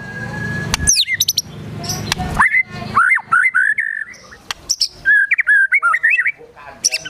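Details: Vigorous, agitated white-rumped shama in gacor emosi, song stuffed with slashing and shooting sogon and kunti mimicry. Sharp clicks and high downslurs give way to clipped, upturned whistles repeated about twice a second.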